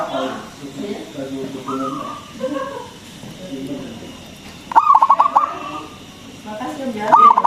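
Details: Zebra dove of local stock singing as a lure for other doves. Soft, drawn cooing runs through the first seconds, then one loud stuttering burst of quick notes, and another begins at the end.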